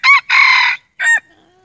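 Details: Male red junglefowl decoy bird crowing, a voice used to lure wild junglefowl: three short harsh bursts, a brief opening note, a longer buzzy middle note and a clipped final note, with clean silence after.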